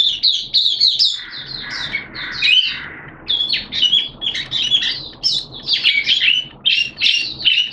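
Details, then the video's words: Oriental white-eye, a caged songbird, in open singing on a damp, unsettled-weather day in September 2022: dense, rapid, high twittering with scratchy chirps, almost unbroken over several seconds. "Mata Puteh T-Rex Buka Sing"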